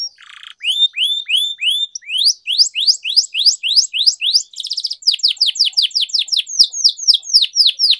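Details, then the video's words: Canary in long-rolling song used to train and stimulate silent canaries: series of loud downslurred whistles about two per second, a brief fast buzzy roll near the middle, then more evenly repeated descending notes with faint clicks. "Canary Singing Training, Kenari Gacor Ngerol Panjang, Pancingan Kenari Macet, Masteran Kenari Paud"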